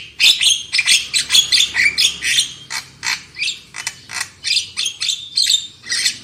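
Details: Black-winged myna song used as a lure for loud singing: steady series of harsh, rasping chatter notes repeated roughly twice per second, with a few whistled accents.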